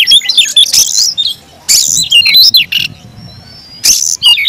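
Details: Aggressive fighting song of a caged Oriental magpie-robin: clusters of harsh scratchy notes and whistled slurs, a thin drawn-out rising whistle in the middle, separated by short pauses.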